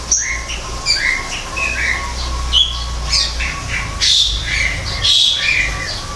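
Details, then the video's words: Greater green leafbird singing in an aviary, an artificial forest, a bird described as becoming rare in the wild: a lively run of slurred whistles and squawky notes, rising and falling in quick succession, over a steady low hum. "kicau cucak ijo di alam buatan"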